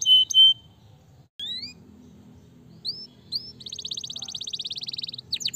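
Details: Canary giving scattered short whistles and rising slurred notes, then a sustained rapid buzzy trill, softer against a steady low background murmur.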